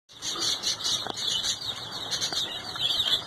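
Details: Day-old chickens in a brooder cage, many chicks peeping together in a continuous, dense, high-pitched chorus of overlapping shrill cheeps, with occasional soft thumps in the background.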